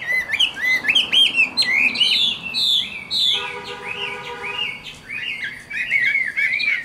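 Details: A mature caged Chinese hwamei, a bird from the wild with a fine voice, sings continuous wavering, looping whistles. A steady electronic-sounding tone briefly sounds underneath.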